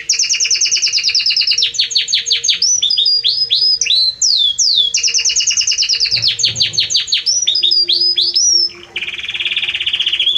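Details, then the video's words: Warm, powerful Belgian canary song with long fast trills of repeated high notes, several sweeping slurred whistles in the middle, and a brief lower rolling phrase near the end. "Canto forte e muito quente deste Espetacular Canário Belga | Canary Singing"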